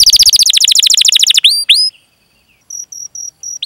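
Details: Canary lure song for young or silent canaries: a dense rolling trill, two upswept whistles, a brief pause, then short clipped high notes repeated in a row.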